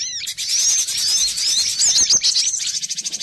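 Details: Cinereous tit, used as a lure call, gives a busy, high chatter of rapid, thin repeated notes and short whistled slurs, continuous throughout with no pauses.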